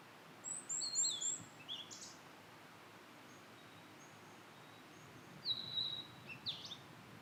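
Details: Blue-and-white flycatcher in satoyama woodland, giving thin high whistles that drop in pitch, a short quiet gap with faint distant notes, then a later falling whistle and brief buzzy trill.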